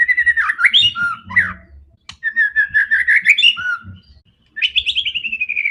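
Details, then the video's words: Aggressive white-rumped shama song used to provoke rival birds, with fast looping whistles, rich slurred phrases and rattling trills broken by short pauses, ending in a descending series of quick notes. "MURAI BATU GACOR‼️ SANGAT FIGHTER DAN GANAS UNTUK PANCINGAN MURAI ANDA"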